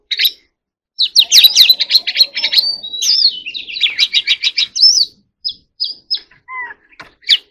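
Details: Oriental magpie-robin in full song: a dense burst of fast trilled and buzzy notes, then spaced, clear whistled phrases and a couple of lower slurred notes, over a quiet background.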